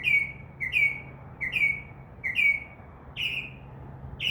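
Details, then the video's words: Mockingbird singing from a tree beside a window, mixing in copied sounds such as crow caws; a quick downslurred whistled note repeated about five times, then a change to a higher, harsher note given twice, over a soft low hum. "mocking bird makes crow sound, dove wing sounds and others"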